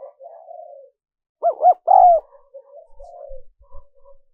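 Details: Spotted dove call meant for luring wild doves: soft murmured coos, then a loud burst of two quick notes and a longer falling coo, fading back into quiet low cooing.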